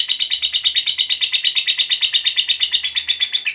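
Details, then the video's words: Lovebird in long chatter (ngekek panjang), a song meant to provoke other lovebirds into singing; rapid high rasping pulses, roughly three per second, steady and continuous throughout. "Suara Burung Lovebird Ngekek Panjang, PANDAI Pancing EMOSI"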